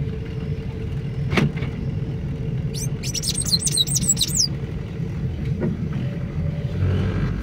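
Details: Sayaca tanager calling on 25 May 2024: a single quick flurry of thin, high chirps lasting about two seconds midway, against loud low rumbling and a few knocks.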